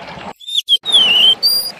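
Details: Golden-bellied gerygone singing actively: a few short, high, pure whistles, the longest drawn out and sliding down then slightly up, with faint low background hum between them.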